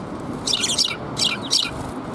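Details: Sparrows arriving to be fed in front of a civic hall on 23 November 2021, giving three bright, rapid clusters of high chirps in quick succession over a low background murmur.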